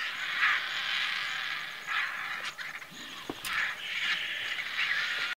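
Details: Vultures of several species crowding an old carcass in the Maasai Mara, Kenya, jostling for food: a continuous harsh hissing din swelling in rough surges about once a second, broken by a few sharp clicks and knocks.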